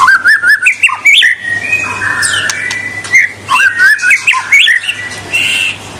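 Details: White-rumped shama singing energetically, meant to provoke rival birds into display: varied clear whistles, rising and falling slurs and short warbled phrases, with sweeping upward notes and quick chip series.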